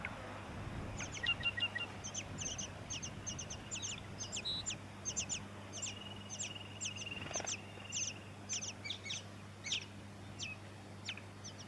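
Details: Tawny-crowned honeyeater in Victoria, Australia, September 2017, giving a rapid series of sharp, high, downslurred notes in short bursts, with a long steady whistle near the middle; low hum underneath.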